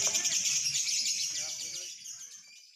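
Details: Lovebird in long-duration chattering song, trained in a simulated singing contest to build its contest nerve. Dense, rapid, buzzy high-pitched chatter runs continuously, then gradually fades and thins toward the end.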